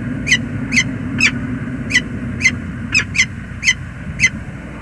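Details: Calls of a male peregrine falcon arriving in the morning at James River Bridge, USA, 19 November 2021, after two days' absence: a fast run of harsh, clipped notes, roughly two per second, some closely paired, over a constant low rumble.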